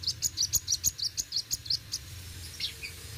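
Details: Sunbird, locally kolibri wuling, in lively 'roll tembak' song: a quick series of about a dozen high, sharp chirps at a steady pace, fading into a few softer, scattered tweets over low background hum.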